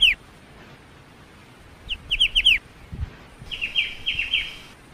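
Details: Black-winged starling song: a brief note, then a run of five sharp falling chirps, a soft low thump, and a longer phrase of slurred whistled notes.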